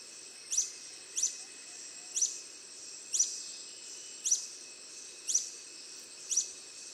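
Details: Long-billed starthroat, a hummingbird, giving sharp, very high, thin chips repeated singly about once a second over a steady background hiss.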